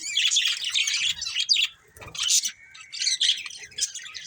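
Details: A breeding pair of colourful budgies gives rapid, buzzy, twittering warbles in short bursts separated by brief pauses, with a sharp chirp at the midpoint and a thin, steady whistle-like tone running underneath.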